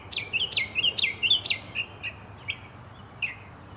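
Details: Northern mockingbird singing a quick series of sharp, down-slurred chirps, about two per second, trailing off into a few softer, spaced notes.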